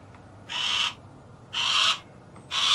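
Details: Harris's hawk giving three harsh, hissing screeches spaced about a second apart over a quiet background.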